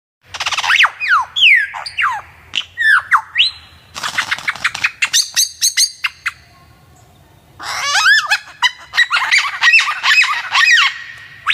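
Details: Magpie-robin song kept as a training recording for other birds: loud, varied whistled phrases with sharp downslurred notes, fast trills and harsh squawky bursts, delivered in three dense bouts separated by short pauses.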